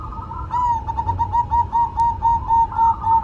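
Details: Perkutut, the zebra dove, delivers a bright rolling string of around eleven clear, bubbling coo notes at a fast regular beat, against low background rumble.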